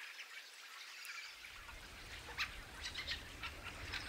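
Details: A flock of fieldfares in an invasion gives harsh, dry chattering chack calls, overlapping in quick irregular bursts; a starling roost rumbles low in the background.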